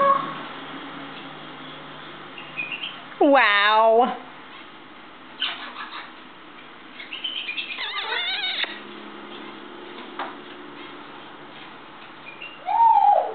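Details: A happy African grey parrot shows morning energy on a kitchen table: a loud harmonic squawk, rapid chattering and buzzy clicks, then a falling whistled note at the end.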